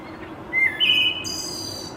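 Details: A Wood Thrush sings in May during spring migration at Mount Auburn Cemetery, Cambridge, Massachusetts: two clear flute-like notes stepping upward, then a high shimmering trill, all in about a second over faint hiss.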